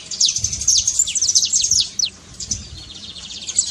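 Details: Saffron finch trill used to prompt a quiet bird to sing, quick falling high notes for two seconds, then fainter, softer notes.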